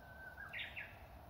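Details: Song of a Japanese bush warbler among full-blooming cherry trees in the grounds of an old temple, Matsumushi Temple in Inzai, Japan, in spring; a sustained steady whistle breaks into a bright, rapid two-part flourish, over a low constant rumble.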